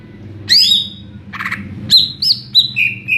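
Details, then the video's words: Greater green leafbird giving a short burst of song: a high sliding whistle, a buzzy rasp, then several clear whistled notes stepping downward, over a low background hum. "Burung cucak ijo NGEPLONG2.."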